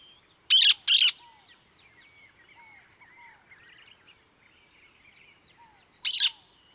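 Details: Two loud, harsh screeches from a cactus parakeet, then soft repeated whistles and chirps of other birds, and a third screech near the end.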